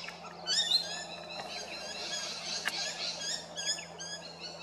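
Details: Recorded at Big Swamp Station, South Australia, rainbow lorikeets give strident, ringing, high screeches and rapid chattering notes, several birds calling over one another, with a faint low hum in the background.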